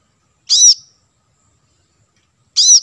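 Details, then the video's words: Two sharp, high, ringing chirps from a plain-throated sunbird, about two seconds apart, each ending in a brief thin tail. Used as lure audio to call wild birds closer. The gap between them is silent. "suara pancingan kolibri kelapa | manggar"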